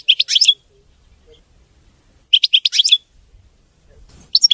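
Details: Clean, error-free song of a European goldfinch, locally maqnin: three short bursts of fast, sparkling twittering, each under a second, separated by quiet gaps.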